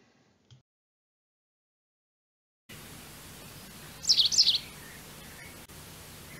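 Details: White Wagtail (Motacilla alba) giving a call: a quick burst of high, sharp chirping notes, a few tight syllables within half a second, over a steady background hiss.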